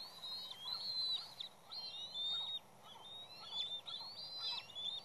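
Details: Bald eagles at the West End nest, with an intruding juvenile repeatedly knocked off but returning. Squealing, high whistled chatter comes in rapid slurred runs, loud and near-continuous, above a low rumbling background.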